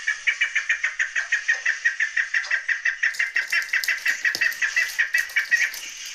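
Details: Chukar partridge giving a long string of quick, mid-pitched clucking pulses repeated nearly three times per second, with a few sharp clicks and taps joining in the second half.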